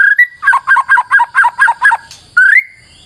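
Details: As a lure, a white-rumped shama gives a repeated two-note whistled phrase about eight times in quick rhythm, framed by short rising whistles.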